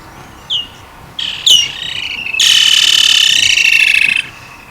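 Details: Woodland kingfisher recorded in Africa: a few short high chip notes, then a long loud trill, rapid, harsh and slightly descending, lasting nearly two seconds over quiet background.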